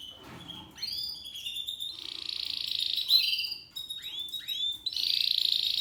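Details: Seven-month-old male Spanish Timbrado canary in discontinuo song, mixing upward-sweeping whistles with sustained buzzy metallic rolls, broken by short silent gaps.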